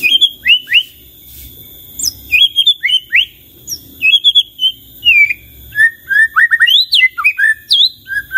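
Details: White-rumped shama singing: clear whistled notes around mid-high pitch, short rising and falling slurs in uneven groups, with sharp high chips and a steady faint high tone behind, brief pauses between phrases.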